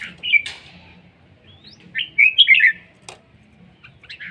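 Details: Red-whiskered bulbul in Laos, praised as beautiful and fierce, sings a quick loud phrase of three or four bright, slurred, whistled notes. Short chirps come before and after, with a sharp click and a faint low hum.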